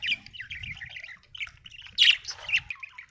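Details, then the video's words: Happy pet budgerigar chattering in a fast, squeaky warble with a sharper louder squawk near the end, over a low background rumble. "Happy budgie chirping sound 🥰 budgie singing sound 😍"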